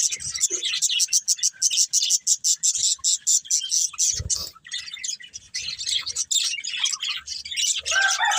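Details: Breeding pair of budgerigars giving quick pulsed chirps in a fast regular series, then looser high warbling chatter, with a short low thump near the middle.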